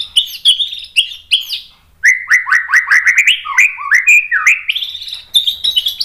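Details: Loud song of a white-rumped shama meant to provoke rival shamas: sharp high notes at first, then a fast string of descending slurred whistles and chips, ending in higher chattering phrases.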